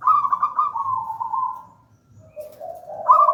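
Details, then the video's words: Local zebra dove of the gedang rojo type singing as a lure and master song; a long trilled coo slides gently downward, fades, then a low purr leads into a fresh higher trill. "Perkutut lokal gedang rojo gacor merdu bird voice"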